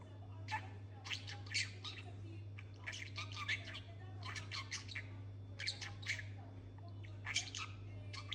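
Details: Pet talking budgerigar chattering in quick scratchy bursts of squeaks and clicks, in clusters every second or so, over a steady low electrical hum.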